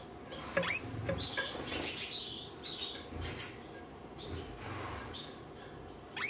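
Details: Caged red-headed Gouldian finches in courtship: sharp, very high chirps and short twittering bursts spaced irregularly, mixed with clicks and low knocking from movement.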